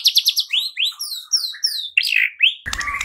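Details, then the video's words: White-rumped shama singing as a lure to spark fighting and singing: a quick series of high, sweeping upslurred whistles, each repeated several times, then rich rising notes, ending in a harsh, noisy rasp. "Murai batu LANGSUNG TARUNG dan IKUT GACOR dengan pancingan seperti ini"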